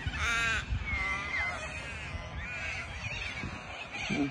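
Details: Hundreds of white and yellow cockatoos descending on a sports field in Melbourne, Australia. Loud, harsh, grating screeches overlap from many birds, with one strong screech at the start; a person speaks Thai nearby.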